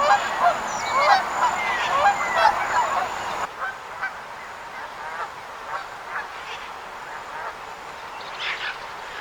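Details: Flock of wild geese honking, a loud burst of overlapping nasal calls in the first few seconds, then fainter scattered honks continuing at a distance.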